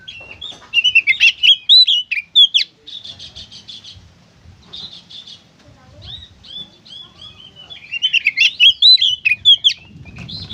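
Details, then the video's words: Kacer singing 'gacor konslet', meant to coax other kacer to sing: two dense bursts of rapid whistled and chattering notes separated by buzzy rattling phrases and quieter pauses, light background hum. "suara burung kacer gacor konslet"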